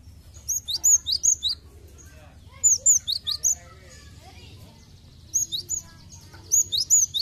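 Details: Cinereous tit, recorded as a lure to prompt birds into song, giving quick runs of sharp, high chirping notes, four or five at a time, in three bouts over a low steady hum.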